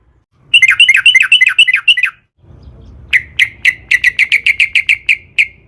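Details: Long, rapid sooty-headed bulbul song offered as a lure for other bulbuls: a tight two-second string of tumbling paired notes, then a steady series of single bright chirps roughly every quarter second.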